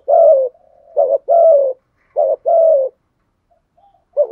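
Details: Spotted dove used as a lure bird, cooing in the 'thúc gù' style mixed with calling coos: a short rising note, then a longer buzzy falling coo, repeated in clean phrases about a second apart, with quiet gaps.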